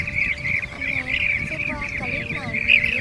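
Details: Blue-tailed bee-eaters calling the flock to feed and to roost, used as a net-trapping lure: a steady stream of rolling, trilled chirps overlapping continuously, with faint steady tonal lines and low rumbling background noise beneath.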